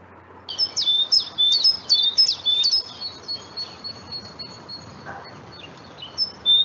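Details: A great tit (Parus major) sings in an unedited raw Xeno-canto field recording: high, thin two-note phrases repeated about twice a second, then a drawn-out whistled tone over a faint hiss.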